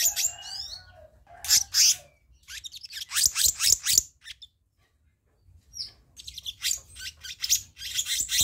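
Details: Dense, harsh chattering runs from a black-naped monarch used as a birdkeepers' lure, broken by a brief silence near the middle, then more rasping bursts.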